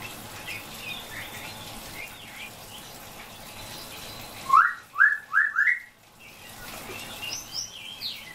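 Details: Common hill myna calling out to its friend by name, giving four loud, short rising whistles in a fast even burst after a stretch of faint chirps and hiss; softer high chirps follow.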